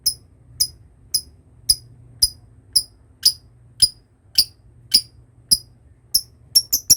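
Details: Lovebird chips in a ngekek training lure: crisp, very high ticking notes about every half second, quickening into a close cluster at the end, over a faint low hum.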